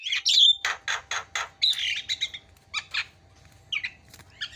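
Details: Noisy Javan myna isian song used as a tutoring recording: a strong whistled squeal followed by rhythmic harsh rasping squawks, growing softer with scattered chattering notes toward the end.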